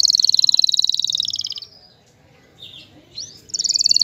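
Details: Male canary singing to stimulate a female to mate and build a nest: a fast high trill of repeated notes for about a second and a half, a quiet gap with a few soft twitters, then the rapid trill returns.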